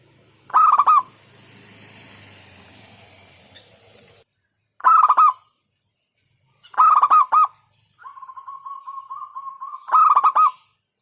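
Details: Local zebra dove giving repeated staccato cooing phrases of several quick pulses every two to three seconds, with a low hum and a steady droning tone in between.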